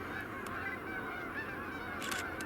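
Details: A large flock of geese honks continuously in the background near trees holding large birds, possibly bald eagles, by the Mississippi in Allamakee County, Iowa, in mid-November 2021: many nasal calls overlap into a steady, clamorous chorus, with a brief scuffle near the end.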